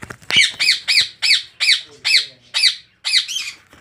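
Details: Rose-ringed parakeets at a breeding farm holding 400 pairs: a steady run of eight harsh, rasping squawks, each sharply rising then falling, about two per second, with faint background chatter.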